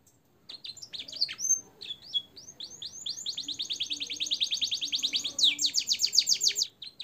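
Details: Canary in a tutor song with blackthroat and sanger phrases for caged birds: scattered high chirps and whistles lead into a long, rapid rolling trill that grows steadily louder and faster toward the end.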